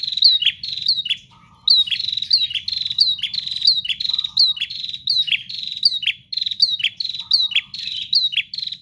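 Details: ['Bar-winged prinia in energetic nonstop song: quick runs of piercing, high notes that each slur downward, delivered in rapid succession with one short pause, occasional low buzzy bursts, and a faint low background hum.']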